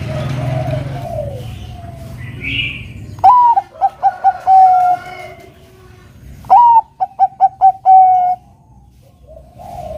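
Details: Actively singing Bangkok zebra dove, played to provoke a rival into song. Two phrases, each a rising opening note followed by a rapid run of short clipped coos and a sustained low coo, separated by a few seconds of murmur.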